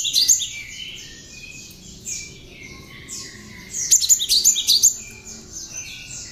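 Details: Cinereous tit singing with bar-winged prinia elements, meant as tutor material for other songbirds. Two quick bursts of piercing high chirps stand out against a constant background of repeated faint high slurred notes.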